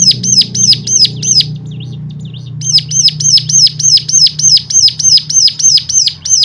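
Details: Stimulation song meant to set other cigun birds singing at once; a fast run of bright, clipped notes repeating about three per second, a short softer break, then a long even series over a low droning hum.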